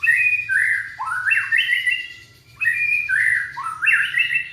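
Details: Young white-rumped shama from Indonesia singing to stimulate other shamas: loud rolling whistles that dip then climb in stepped slurs, two phrases each several notes long.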